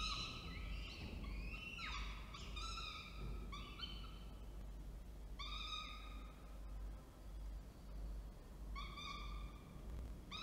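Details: Falcons recorded by camera in Orange, NSW, 19 October 2024, during a food delivery by the male and feeding by the female: loud cluster of overlapping whining calls, then spaced single harsh wails, roughly every two to three seconds, low rumble beneath.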